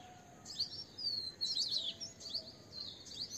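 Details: Asian green bee-eater: rapid high-pitched chirps and short rolling trills in quick clusters, a brief bright sweeping note near the start, over a faint low whistle and steady ambient hiss.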